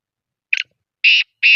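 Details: Black francolin (kala teeter) from Sindh, Pakistan: harsh, grating high-pitched notes, one brief rasp followed by two longer buzzy bursts, in otherwise silent surroundings.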